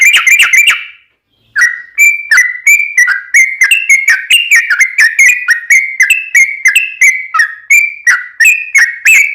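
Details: Energetic yellow-vented bulbul song, used as a lure to make other bulbuls answer: a quick bubbly burst, a pause, then a long string of slurred whistled phrases, each about half a second.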